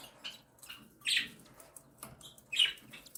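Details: Cockatiel mother feeding her three small chicks aged one and seven days; wheezy scratchy squeaks, two louder hoarse cries standing out above a hissing background.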